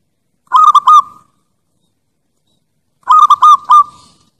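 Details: Lure recording of a zebra dove, Bangkok and Java type, giving two repeated cooing phrases of clipped notes with a longer final coo, spaced roughly two and a half seconds apart, with no other sounds.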